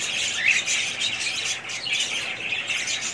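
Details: Short burst of budgerigar chatter, harsh squawky warbles running unbroken from several birds at once.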